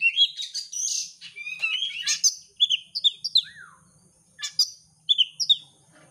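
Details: Oriental magpie-robin lure song used to provoke a competition bird into singing: rich, varied whistled phrases with rising and falling slurs, sharp chips and buzzy notes, delivered in rapid bursts separated by short pauses.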